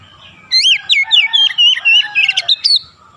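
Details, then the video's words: Oriental magpie-robin (kacer) pouring out about two seconds of closely spaced, bright whistled notes with buzzy sharp accents, sung in the ngerol and nembak manner, soft low noise beneath. "KACER NGEROOL NEMBAK RAPAT DAN GACOR"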